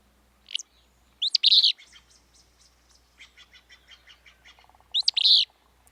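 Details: Willow Flycatcher song, the species breeding in western Washington: explosive buzzy two-part phrases near the start and again after about four seconds, with softer rapid ticking chatter and a low hum between them.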